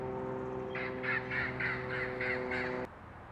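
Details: Red-lored Amazon (Amazona autumnalis), a feral parrot in Orange, California, gives about seven harsh, raspy squawks in quick succession, roughly three per second, over a steady musical hum.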